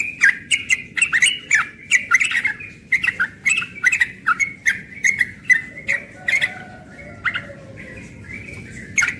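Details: Continuous ropel song from a young yellow-vented bulbul at morning time, busy strings of chirpy, gurgling notes and clicks at a steady fast pace, a faint lower whistle appearing briefly near the end.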